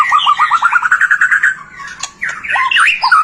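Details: White-rumped shama in full song, used to prompt other shamas to sing: a fast series of about a dozen rising whistled notes, then varied swooping and twisting phrases with a sharp click.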